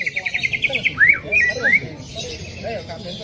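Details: Greater green leafbird singing as a prompt for another leafbird: a brief faint trill followed by three loud, sharply slurred whistles over a murmuring background.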